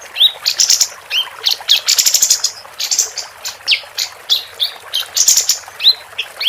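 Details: Female capped white-eye singing constantly, recorded to tutor contest songbirds: dense high chirping with frequent short buzzy trills and sharp rising notes in quick succession.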